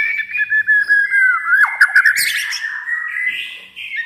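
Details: Home-kept white-rumped shama that never joined a contest gives sustained whistled notes, brief dips, then a buzzy rattling flourish and a long rising whistled phrase.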